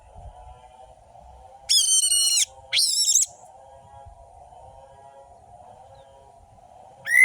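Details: Orange-headed thrush song used to provoke lazy birds to sing, with long drawn-out notes and sharp trills: two sustained, rich, slightly wavering notes back to back, then a rising note at the end, over a constant low hum.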